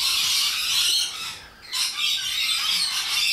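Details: A noisy group of wild rainbow lorikeets in Australia giving harsh, grating shrieks in a steady wall, broken by a short lull midway before the rasping squawks surge back.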